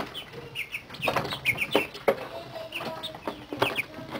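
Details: Thirty-day-old chickens in a brooder, a mixed flock of New Hampshire Reds, Buff Orpingtons, Buff Rocks, Barred Rocks and Partridge Rocks, playing and exploring while being weaned off heat; short high peeping chirps from several birds over scattered clicks and rustling.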